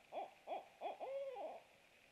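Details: Barred owl at its nest at night on 27 March 2017, 23:49, around a food delivery; three quick mellow hoots, then a long drawn-out slurred note that rises and falls, followed by one more hoot.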